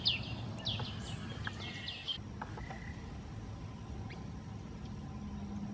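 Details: Greater green leafbird at a forest edge bordering Kaeng Krachan National Park, Phetchaburi, Thailand, 23 September 2012: a quick run of varied high chirps, slurred whistles and short buzzy notes in the first two seconds, then sparse faint notes over steady low rumble.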